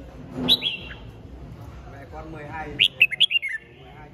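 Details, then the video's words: Red-whiskered bulbul from Hòa Bình, Vietnam, a caged bird over two seasons old with a fine voice. Two brief, bright phrases are heard, one early and one near the end as a quick run of sharp notes, over a low murmur of people talking. "Chào Mào Mộc Hơn 2 Vụ Bộ Đẹp Gấu Chim Giọng Rất Hay Gốc Hoà Bình"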